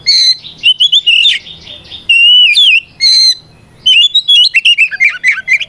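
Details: Oriental magpie-robin delivering loud combative 'ngeplong' song to call out opponents; sweet whistled notes mixed with harsher chattery bursts, a sustained wavering whistle mid-sequence, ending in a fast jumble of varied twittering notes.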